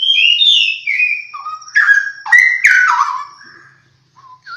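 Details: A pair of straw-headed bulbuls singing; rich, loud liquid warbled whistles sliding up and down, delivered in a rolling continuous phrase that fades out near the end.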